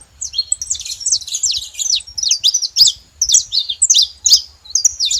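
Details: Saffron finches in a group chatter with repeated high chirps and angular slurred notes in rapid bursts, with short breaks between clusters and little background noise.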